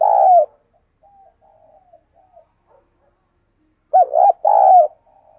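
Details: Decoy dove cooing to call wild birds: one loud coo, faint soft murmurs, then a doubled coo with a short and a longer note.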